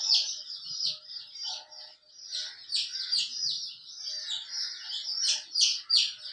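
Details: A hen with her colourful chicks: several chicks peep without stopping, with high, sharp notes that slide downward and crowd together, about three each second.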